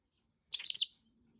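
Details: Caged pet masked lovebird keeps calling in discontent after a week of no playtime; a shrill, grating triple-pulsed squawk, sharp and brief, in a quiet room.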